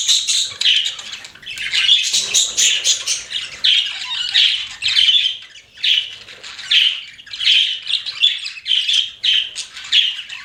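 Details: Pet budgerigars chirping indoors: dense, scratchy warbling chatter with buzzy squawks and rapid twittering notes, coming in bursts roughly every half second to a second without pause.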